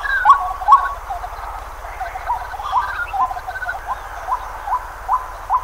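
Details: White-breasted waterhen recorded in Pingtung County, Taiwan, on 23 May 2020, giving two loud rising notes, then a faster, fainter run of brief upslurred calls at uneven spacing, with a low droning hum beneath.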